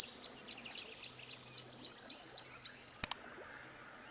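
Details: Costa's hummingbird whistle trailing into a steady series of short, descending high pips, a single click, then the thin, high whistle rising again at the end.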